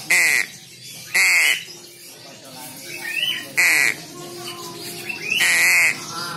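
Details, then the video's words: Young crow repeating loud, harsh squawks about half a second long, four in six seconds at uneven gaps, with faint background sounds and music between calls. "anakan Burung GAGAK yang sangat cerdas"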